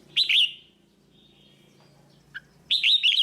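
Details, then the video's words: Red-whiskered bulbul singing a tutor song for teaching young birds: two quick chirruping phrases with a quiet gap and one short note between them, over faint low background hum. "กรงหัวจุก เสียงนกกรงหัวจุก นกกรงหัวจุกเสียงครู"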